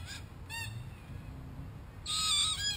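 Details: A wild group of Australian red-tailed black cockatoos at a hidden camera they damage: two short scratchy notes, then after a pause a louder, drawn-out harsh screech.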